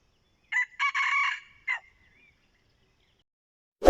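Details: Red junglefowl used as a decoy to lure wild junglefowl, giving a short, harsh, broken crow: a brief opening note, then a longer ragged middle burst and a clipped final note. It fades out, followed by silence and an abrupt loud knock at the end.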